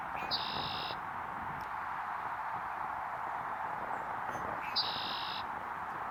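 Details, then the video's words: Red-winged Blackbird gives two calls about four seconds apart, each a short clipped note running into a high, buzzy, rasping trill, over steady background rushing noise. "Red-winged Blackbird Calls"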